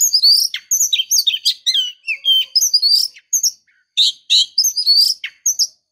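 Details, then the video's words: Rapid chattering series of varied high whistled and slurred notes from a female Oriental magpie-robin luring the male, with a brief pause midway, then more spaced bright phrases. Clean recording. "Suara Gacor Kacer betina memancing jantan"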